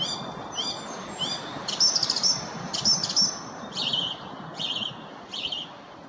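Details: Song thrush song of short melodic phrases, each usually repeated three times: clear whistles, then sharp doubled notes, then lower warbled motifs given in repeated sets.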